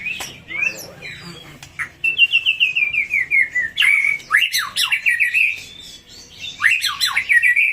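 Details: White-rumped shama, a lure song for provoking answering birds: loud whistled phrases, a series of descending slurred notes, and sharp swooping calls, with faint voices in the background.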